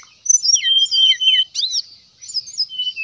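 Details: Brown-chested jungle flycatcher song used as a lure to draw rivals into singing. Clean, sweet whistles sliding up and down in quick succession, a short pause, then a few more whistled phrases.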